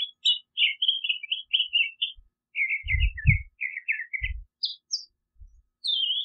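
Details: California scrub jay singing: a rambling run of short chattering, warbled notes around the upper-middle pitch range, a few higher squeaky notes near the end, with brief low thumps in the background.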